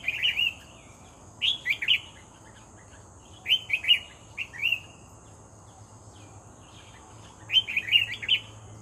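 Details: Actively singing red-whiskered bulbul taken while bird trapping. Four bouncy whistled phrases come at uneven intervals of one to four seconds, each a quick cluster of up-and-down chirping notes, with a thin constant hum behind.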